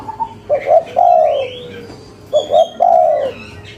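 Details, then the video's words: Energetic local spotted dove in cetrekan-style calling, said to bring replies within five seconds: two phrases, each a quick pair of clipped notes followed by a sustained, slightly falling coo, with faint higher bird chirps behind. "Suara Tekukur Lokal Gacor, Cetrekan‼5 Detik Auto Nyaut"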